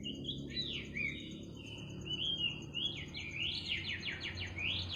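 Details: A bird singing in the middle of the night: a run of high, sweeping whistled notes that slide up and down. Later they speed into a series of quick repeated downward slurs over a steady low background hum.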